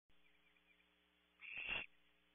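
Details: Barn owl owlet on a nest camera at Audubon Starr Ranch, California, defending against an unseen threat the way its mother does; one harsh, broadband hiss lasting under half a second breaks a quiet, humming background.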